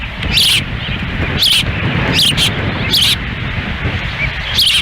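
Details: An osprey nest in Lolo, Montana, on a windy June 10, 2017, where the female is feeding chicks with the male beside her; five separate slurred whistled chirps sound at intervals over constant wind.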